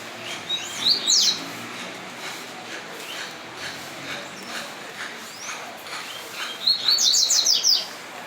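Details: Yellow-bellied seedeaters in a dispute, with two short high, sharp twittering song bursts about six seconds apart over a steady background hiss, and faint chips in between.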